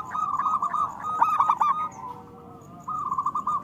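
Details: Local zebra dove cooing to encourage other doves to sing: a fast, staccato, rolling phrase, a brief lull, then the trilled coo resumes.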